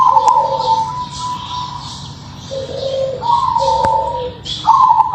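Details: Crossbred zebra dove with a local-type voice cooing: mellow, level hooting notes alternating between a higher and a lower pitch, in a few drawn-out phrases, with soft higher chirps and clicks in the background.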